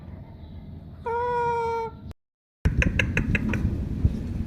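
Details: Talking pet mithu parrot from Pakistan gives a steady, rich, nasal tone lasting about a second, then falls silent briefly before a run of quick clicks and taps with background hum.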